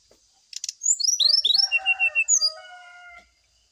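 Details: Brown-chested jungle flycatcher lure and therapy song for dew-aired birds. A buzzy burst leads into rapid rising whistled slurs and even level whistles. Long lower crowing-like calls from a rooster overlap the end.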